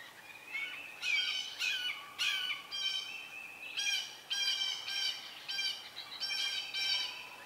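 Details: Red-shouldered hawks at a nest where an adult brings food, a snake, to nearly fledged young: harsh, piercing squeals given in quick repeated bursts, roughly one and a half per second, throughout.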